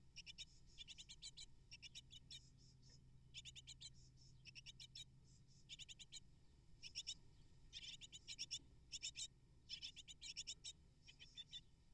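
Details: Eight hungry great tit nestlings, whose parents deliver twelve prey in twelve minutes, beg in a chorus of rapid, high, scratchy chips, bursting out in short bouts about once a second over a low background rumble.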